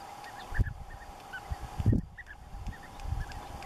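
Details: European bee-eater calls recorded on 18 May 2016: short, rolling, slightly burred notes repeated in loose clusters over a steady low hum, with low thumps and rumbling noise.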